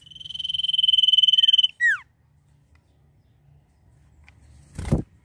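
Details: Common iora (cipoh) singing energetically in the full "nyiul" style: one long, steady, rapidly trilled whistle held for almost two seconds, then a quick downslurred note, a pause, and a brief loud thump near the end.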